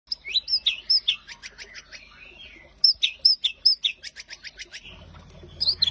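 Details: White-rumped shama singing vigorously: rapid series of loud, clear whistled notes, about two per second, alternating with sharp clicks, a short pause, then a second fast burst; a low hum enters near the end.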